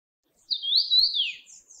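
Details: Oriental pratincole, a summer visitor in Taiwan, giving a single drawn-out whistled call that wavers up and down before sliding downward, clean against a quiet background.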